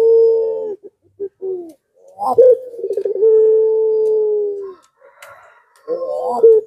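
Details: Barbary dove (puter) coo of the 'pelung' style, played as a lure to draw reluctant doves into calling back: low, steady drawn-out coos, one long hummed note opening with a brief rolling flutter, with short separate coos before and after.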